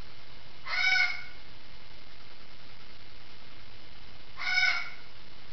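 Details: Indoor parrot heard from an adjoining room giving two loud raspy squawks about four seconds apart, with quiet room hum between them.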